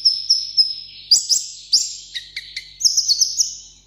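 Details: Sunbird kept for display on a café table, singing solo in contest style: thin whistles, then very high bright sustained notes and quick rising chips, closing with a rapid high trill.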